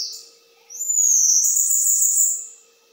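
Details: Bananaquit giving a metralhadora-style song: after a short high note, one sustained, very high, rapid buzzy trill lasting about two seconds, then fading, with a soft steady hum behind.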